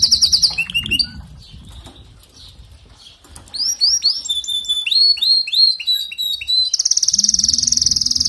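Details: Canary song beginning with a short buzzy roll and scattered soft notes, then a lively string of curving, downslurred whistles and chirps, ending in a loud, rapid, steady trill.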